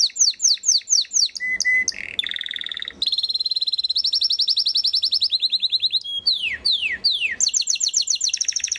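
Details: Belgian Waterslager canary singing varied tours: falling slurred notes, steady tones, fast rolling trills of tight pulses, and bright repeated whistles in quick succession.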